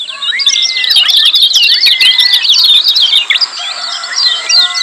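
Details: Lemon-bellied white-eyes in a loud, crowded 'ciak' chorus, used to stir silent birds into song: fast overlapping high chirps, many per second, with drawn-out whistles and a brief drop in volume near the end.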